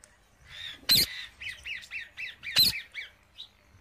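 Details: Seed-eating wild parrot giving a quick series of harsh, bent squawk notes about five per second, punctuated by two loud sharp crackling bursts.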